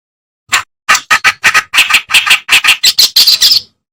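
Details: Reed warbler, a master recording for songbird training: a rapid series of grating, churring notes that speeds up and ends in a run of higher, squeakier phrases.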